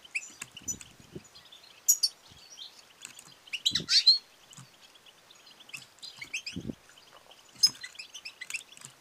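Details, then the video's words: Calls of a female European goldfinch, batbata and satsata twittering played to spur males to sing and mate; sharp high chirps in irregular bursts, strongest near four seconds, with occasional low thuds. "بتبتة وستستة ونداء أنثى الحسون المميزة"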